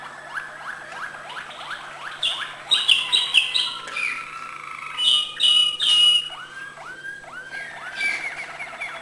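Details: Malinois canary singing high notes, starting with a series of evenly repeated falling whistled slurs, then loud bright ringing phrases and rolled notes, and closing with slower, deeper whistled slurs.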